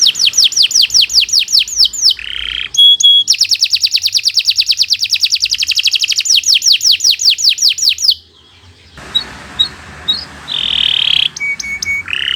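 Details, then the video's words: Canary singing long 'gacor' song for a training recording: fast repeated downslurred notes and long rattling trills lasting about eight seconds, then quieter scattered notes over background noise. "Kicau Burung Kenari 116 II GACOR PANJANG"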